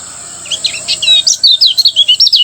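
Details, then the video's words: Morning 'ngejos' song of a Lemon-bellied white-eye from Lombok, used to make other kept birds sing: slurred high chirps giving way to a rapid string of sharp twittering notes over a constant high hiss. "masteran kecial kuning ngejos di pagi hari membuat kecial kuning anda ikut bunyi"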